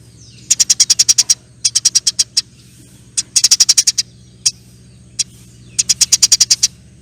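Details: Eurasian tree sparrow singing energetically: four short rattles of quick, sharp, chipping notes, with single stray ticks between them. A steady low mechanical hum runs underneath throughout.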